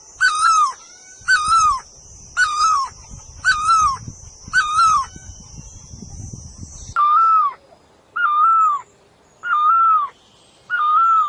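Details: Bird called puj daum or nok tong lo gives steady mid-pitched hooting notes, each with a gentle downward bend. A high ringing drone and low rumble fade after about seven seconds, leaving the calls in quiet.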